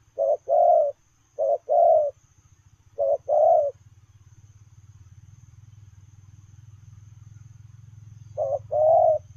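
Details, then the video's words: Coos of a spotted dove, 'lèo rồng' style, given as it runs: three quick short-long pairs, a pause of several seconds filled by a low droning hum, then one more pair. "Gù Lèo rồng vừa chạy vừa gù"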